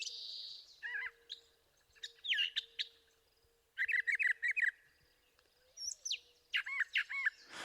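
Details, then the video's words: Brown Thrasher in a cottonwood forest at Highwood Creek, Montana, in the morning, after an adult fed a begging juvenile. It sings an extended, loud, varied string of rich whistled and slurred phrases, several repeated in quick pairs and runs, over a faint hum. "an adult brown thrasher feeds a begging juvenile, then launches into an extended bout of song."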